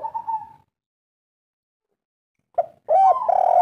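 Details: Spotted dove of the local wild kuk 3 type, known as derkuku, used as a lure: a short soft coo, a long pause, then a brief note and a longer steady cooing phrase.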